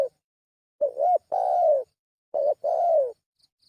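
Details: Lure call of a spotted dove, two low cooing phrases about 1.5 seconds apart, each a short swelling note followed by a longer gently falling coo, with a brief clipped note at the start.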